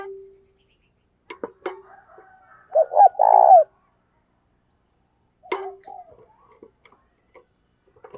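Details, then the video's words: Decoy spotted dove calling wild doves. One loud rolling coo phrase with a drawn-out vibrating final note sits among scattered clicks, taps and faint softer cooing. "Chim Cu Mồi gáy Gọi Bổi, mở lên bổi nghe gáy liền"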